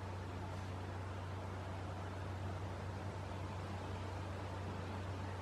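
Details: Steady low mechanical hum with broadband noise, like a motor or vehicle running, and no animal calls.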